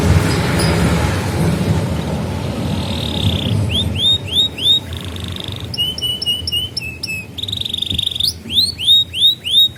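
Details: Canary singing as a training lure for young canaries and for ones that stopped singing. Low background noise opens, then rising whistled notes, sharp trills and upward sweeps in varied bursts.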